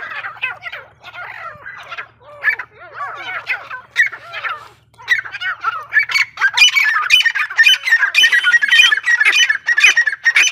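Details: Desi female grey francolin hunting-decoy voice: grating, squawking notes repeated in quick succession, starting sparse then growing denser and louder in the second half, over a faint low background hum.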